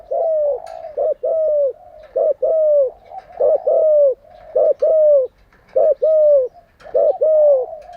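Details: Captive spotted dove used as a training decoy, cooing steadily: rapid series of short rising-falling coos repeated roughly every half second, strong and even throughout.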